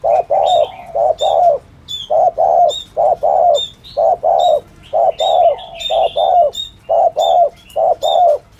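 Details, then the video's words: Spotted dove thổ thúc gù cooing for trappers' lures; evenly repeated paired hollow coos, short then long, roughly once a second throughout, light high chirping from other birds between notes. "tiếng chim cu gáy chuẩn thổ thúc gù"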